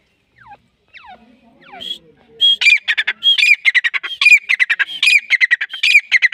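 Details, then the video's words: Native grey francolin from Pakistan, recorded as a hunting-season calling bird: faint scattered notes open, then from midway a loud run of harsh, rapid, ringing syllables repeated in quick, uneven bursts. "dasi goray teetar fricolian voice calling teetar"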